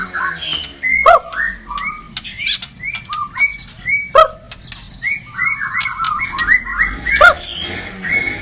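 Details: White-rumped shama singing steadily: varied whistled phrases with frequent sharp clicks, repeated across several seconds over a soft background hiss.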